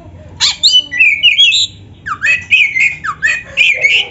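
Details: White-rumped shama in full song, meant as a tutor recording for other shamas, mixing rising whistled slurs, buzzy squeaks and rapid chattering notes in continuous varied phrases.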